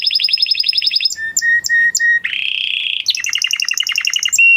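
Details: A male canary sings a varied song: a rapid high trill, a series of short level whistles, a buzzy sustained roll, then quick falling chirped notes and a final high whistle.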